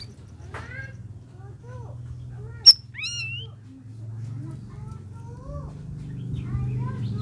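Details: Red-whiskered bulbul, in its first week of care, giving short, scattered chirps and a bright rising whistled note, over a steady low hum with a sharp click partway through.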